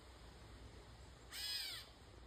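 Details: A single catlike meow from a catbird, a half-second nasal mew with strong harmonics that bends slightly downward, over faint background hum.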